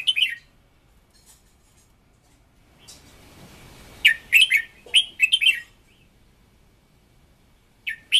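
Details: A decoy red-whiskered bulbul sings a strong, fiery song for voice training. A short phrase opens the clip, then a soft rustling noise, then a lively run of quick, bright, chattering notes, and one more phrase at the end.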